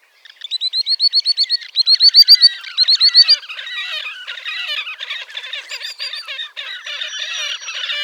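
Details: In Latvia at Gavieze, May 2024, a wild Slavonian grebe starts a rhythmic series of rising, pulsing nasal notes that speeds up, then breaks into a jumbled rapid squealing chatter.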